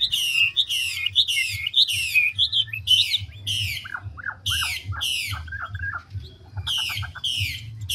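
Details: Chinese hwamei, large wild-caught mature bird in fast changing song: loud repeated rasping buzzy strokes about twice a second, then a run of lower downward whistled notes and rapid ticks, before more harsh bursts; steady hum beneath.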